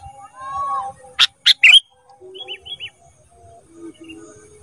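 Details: Three rapid, scratchy bursts from a caged ruby-throated bulbul, used to train cage birds, followed by soft curling whistled notes and faint lower tones.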